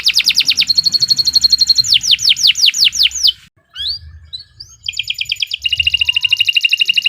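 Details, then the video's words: Canary singing a long song for training other birds: fast trills, a held whistled note, a row of falling sweeps, a brief pause with rising calls, then a quick pulsing trill. "Kicau Burung Kenari 107 II GACOR PANJANG Cocok untuk Masteran"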